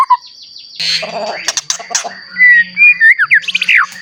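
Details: White-rumped shama singing to provoke rival shamas; after a noisy start and a low hum, clear whistled slurs and quick rising notes close the passage, over a steady high tone.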